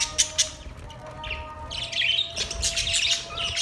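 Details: Budgerigar chatter: two sharp clicks open, then a continuous run of buzzy, grating high warbles and squawky chirps building toward the end.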